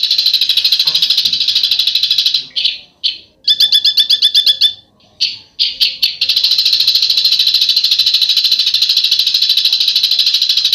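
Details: Bird giving a besetan sound, a sharp rasping call: a fast, continuous, harsh buzzing rattle that breaks briefly for a few stuttering, clearer pulsed notes, then resumes steadily.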